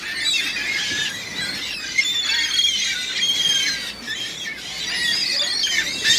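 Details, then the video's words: Dense chorus of seagulls, a continuous wash of high squealing and mewing calls from many birds at once, loud and overlapping with no gaps. "Seagulls, Seagulls everywhere!!!"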